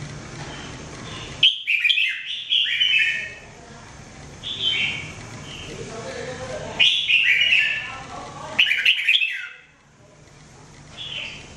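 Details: Everyday mebah-style training song of a red-whiskered bulbul (jambul): repeated whistled, chattering phrases every few seconds, each opening with a sharp rising note, over a steady low background hum.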